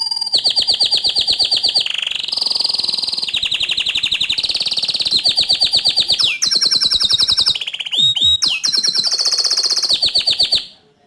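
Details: Bottle-green canary singing loud, continuous 'gacor' tutor song for young and untrained canaries: long runs of fast, even trills at high pitch, switching tempo every second or two, with a brief falling slur near the end.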